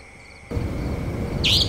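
A single sharp, high, slurred 'chweep' from a Savanna Nightjar near the end, over a steady low rumble of background noise.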